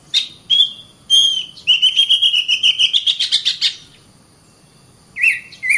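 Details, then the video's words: Oriental magpie-robin singing. Short whistled notes lead into a long accelerating series of buzzy pulses that rise in pitch, then a pause, then two downward-curving whistles. "BURUNG KACER GACOR RAPAT"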